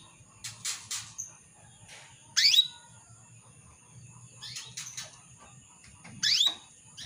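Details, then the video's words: Female canary calling to a male, used as a lure to make males sing. Sparse chirps: a loud rising sweep at about two and a half seconds and again near six seconds, with softer short notes between, over a faint steady high hiss. "PANCINGAN KENARI BETINA MEMANGGIL JANTAN"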